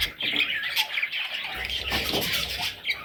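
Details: Parrot chicks give a dense, continuous stream of harsh, high squawks and chatter, with brief louder peaks near the start and end.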